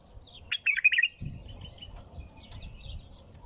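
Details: Bulbul song: one fast, bubbling phrase of tumbling notes, then scattered faint high chirps over a low background rumble.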